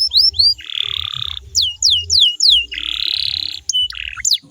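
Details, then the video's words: Singing canary, used to coax other canaries into singing back, alternating short sharp downslurred whistles with long, buzzy rolled phrases; low hum beneath. "DI JAMIN KENARIMU BAKAL IKUT NYAUT KALO DENGERIN SUARA INI"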